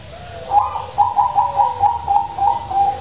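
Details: Zebra dove with a big, loud voice, used as a lure to get quiet doves to sing: a rapid rolling coo of short mellow notes pulsing about five times a second, with a lower hum underneath.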